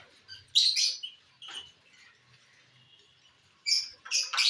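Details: Lovebirds eating corn on the cob (bhutta), dated 18 December 2022; a loud shrill squawk followed by a softer chirp, a faint thin whistle, then two sharp screeching bursts near the end.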